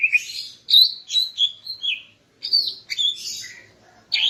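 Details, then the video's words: Female greater green leafbird singing in the morning, a song used to arouse the male: bright, slurred whistles and chirps, mostly high, in short bursts separated by brief pauses, ending on a sharp rising note. "Kicau Burung Cucak Ijo Betina Pagi Hari untuk Naikkan Birahi Cucak Ijo Jantan"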